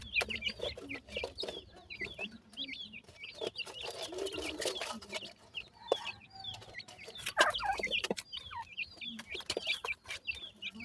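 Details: Grey francolin chicks giving many short, high, downslurred peeps that overlap in a busy chorus, with scattered sharp clicks and rustling throughout and a denser burst of noise near the middle.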